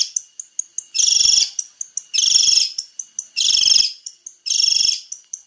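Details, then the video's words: Varied song of a male long-tailed shrike: loud harsh buzzy bursts about a second apart, each followed by a run of short, sharp, high ticking notes. "PANCINGAN BURUNG CENDET GACOR BANYAK VARIASI"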